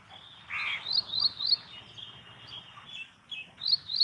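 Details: Ashy prinia, a small Indian Subcontinent warbler, calling: sharp high ticking notes in quick irregular runs of three or four, with a steady high hiss and low rumbling background noise.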